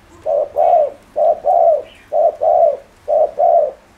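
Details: Spotted dove calling to stir up rival doves: four loud paired coos, a brief hoot followed by a longer drawn-out falling note, evenly repeated about every second, with quiet room-like background.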